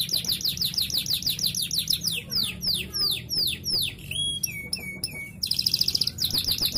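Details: Canary song used as a lure to encourage other canaries to sing: rapid high chirping trills, then a run of loud downward-slurred whistles, a few sharp clipped notes, and a dense buzzy trill at the end.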